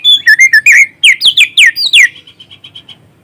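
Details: White-rumped shama song used as a lure to arouse other shamas, phone recording; bright, clear whistles, each sliding downward, in a quick run of about a dozen notes, then a soft fading series of short pips.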